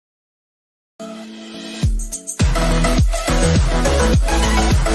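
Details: Loud electronic dance music with a thumping bass beat starts after a second of silence, and no animal call can be picked out.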